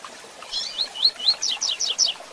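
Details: Double-collared seedeater singing the classic Tui Tui Zel Zel song style used as a model for tutoring and training birds: a short run of high, quick chirps, then rapidly repeated sharp downslurred notes, with a faint background hiss.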